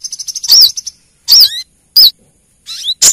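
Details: Female Brown-throated sunbird calling to the male: quick high ticks running into loud shrill slurred chips, about four sharp bursts within three seconds, with a thin rising sweep.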